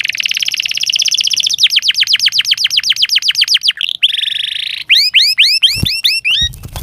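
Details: Canary song used as therapy for canaries that will not sing: a long rapid pulsed trill that slows into distinct rising whistles, a short buzzy burst, then quick upward-sweeping notes with a faint knock.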